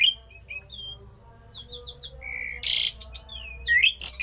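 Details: Javan pied starling with a rare odd song said to provoke other starlings to sing: scattered thin whistles and short descending slurs, a harsh noisy burst, then a sharp rising whistle at the end.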